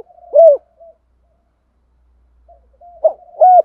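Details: Spotted dove giving the thúc gù style of calling: a short burst of low, hollow, hooked coos near one pitch, then a pause and two more coos joined by soft connecting notes. Clean and quiet behind.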